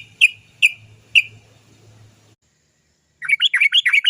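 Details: Sooty-headed bulbul giving a long rolling 'cok cok cok' song used as a lure to make others sing: three sharp separate notes, a pause, then a fast run of chattering notes.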